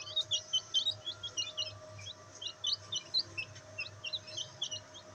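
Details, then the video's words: Black bantam chicks enjoying sunlight, giving a busy stream of high, thin, upward-sweeping peeps from several birds, roughly two to four each second, over a faint low background hum. "Bantam Chicks Enjoying sunlight |Black Bantam Chicks |Chicks Chirping Sound"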